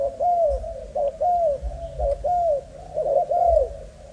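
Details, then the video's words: Young spotted dove of Malaysian type cooing: smooth arched notes roughly every half to one second, separated by brief quiet gaps. "Cu gáy Malaysia/chim tơ giống 55"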